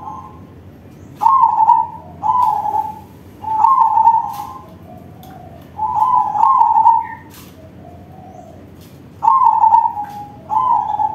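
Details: Loud-voiced crossbred zebra dove song: rapid, quavering coo notes grouped in pairs and runs, each phrase steady in pitch then tapering, with a quieter low coo between bursts and occasional clicks.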